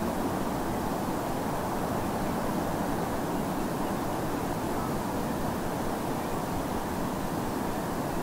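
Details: Dense, steady roar of surf and wind on a coast with no animal call.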